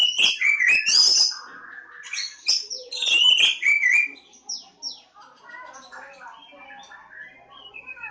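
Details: Oriental magpie-robin, known locally as Kacer Jawa, singing a rich, rapid medley of whistles, slurred notes and scratchy chirps. The phrases are loud and dense for four seconds, then softer, scattered twittering notes follow.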